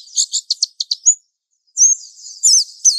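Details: Mountain white-eye lure song for training young birds, beginning with a quick series of about seven clipped high chirps, a short pause, then a slurred whistled warble.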